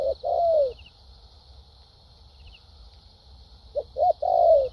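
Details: Caged decoy spotted dove from Vietnam giving one long falling coo, a pause of about three seconds, then two short coos and another drawn-out descending note.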